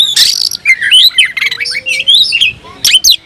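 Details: Caged oriental magpie-robin in full song with tail spread, pumping up aggression and calling an opponent; a dense, varied stream of harsh rasps, whistled slurs and warbled notes, with a faint low tone in the middle.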